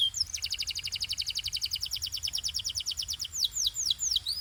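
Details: Canary performing Belgian singing: a long, very fast rattling trill of clipped high notes, ending in a few broad, looping whistled sweeps.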